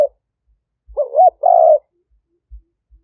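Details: Decoy spotted dove of the liu tan style from Roi Et, Thailand, recorded by smartphone in 2021 to attract wild doves. A wavering two-part coo followed by a steadier, level coo after a brief gap, with faint soft knocks behind.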